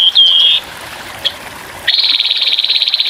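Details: Grey-headed babbler's rough rapid-fire song over trickling water, recorded for birdsong training. A short falling whistle comes first, then a pause and a quick rattling trill of evenly spaced high notes.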